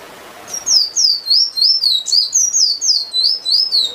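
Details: Emprit finch in full song: a rapid string of high, sweet down-slurred whistles, roughly three or four a second, steady and loud in a quiet setting, with a short faint high note partway through.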